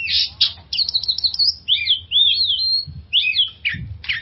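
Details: Oriental magpie-robin song used as a lure sound to help stressed magpie-robins recover and sing: varied clear whistled phrases, rising and falling sweeps with buzzy notes and sharp chips, short pauses between phrases, quiet background.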